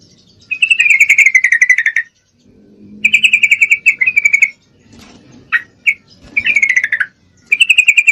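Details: A breeding-condition female Sooty-headed Bulbul calling a male repeats long buzzy chattering trills lasting about a second and a half each, separated by brief pauses and a few isolated sharp notes.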